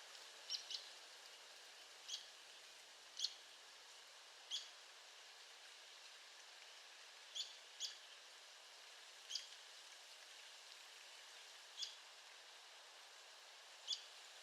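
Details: Arizona woodpecker calling at a distance: faint, sharp high notes, sometimes paired, repeated every one to two seconds across a constant hiss of background noise.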